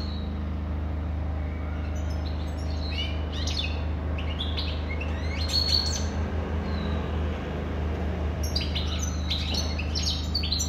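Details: European goldfinch song made of rapid, sparkling twitters and buzzy notes in uneven bursts, with a pause midway before it resumes. Persistent low hum in the background.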